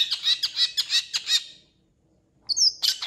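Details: Long-tailed shrike with a full mimicry repertoire, including cat and chicken sounds. Six quick harsh notes in a row, a pause, then a thin high whistle and a scratchy burst.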